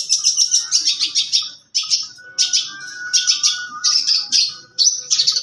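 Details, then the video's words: Young long-tailed shrike (cendet muda) kept as a songbird, singing a rich, varied song of rapid buzzy chattering phrases and dense trills, broken by short pauses, with a faint steady whistle underneath. "Cendet Muda materi dan gaya super mewah"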